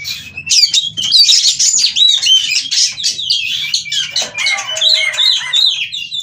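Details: Oriental magpie-robin in breeding condition, wanting to mate and singing in an agitated 'ngobra' state: a dense, fast run of high whistled notes, sweeps and chattery trills, rising and falling without pause, with faint low background hum.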